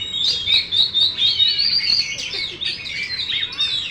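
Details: Competition-kept Oriental magpie-robin singing rapidly: quick high twittering phrases and short whistled notes tumble together continuously, with rising and falling slurs throughout.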